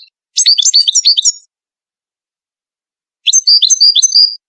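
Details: European goldfinch of the Moroccan Ouidani style, singing for chicks to learn: two fast phrases of liquid, chattering twitters, the second ending in ringing, drawn-out high notes.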